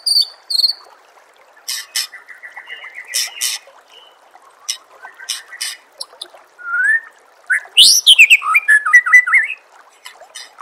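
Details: Contest-training recording of a white-rumped shama, with high thin notes, dry rattling clicks and a bright whistled flourish of swooping, rising and falling phrases near the end, over soft water-like background.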